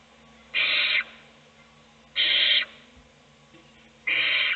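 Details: Three even, breathy screech bursts of about half a second, spaced roughly a second and a half apart, from an owl nest box as one chick is fed and the rest sleep.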